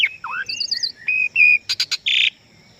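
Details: Asian pied starling song: a dipping whistle, a quick warbled trill, two steady whistled notes, then three sharp clicks and a harsh buzzy burst.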